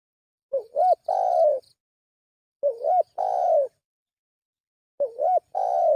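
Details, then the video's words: Spotted dove lure call repeated three times, about every two seconds. Each phrase has two short rising, wavering coos followed by a longer, mellow, slightly falling coo, clear against a quiet background. "Suara pikat burung tekukur"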